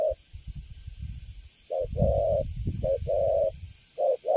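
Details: Wild-caught spotted dove, newly caged and standing still, cooing in the cấn sấm style: a short coo followed by a longer held coo, repeated in pairs between bursts of low rumbling handling noise.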